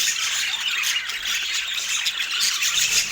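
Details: Morning feeding of pet parakeets in autumn: nonstop high, raspy chattering squawks layered together at an even loudness.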